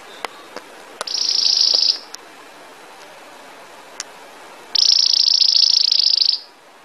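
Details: Belgian canary giving two bursts of high rolling trill, the second longer, separated by quiet with faint clicks and taps.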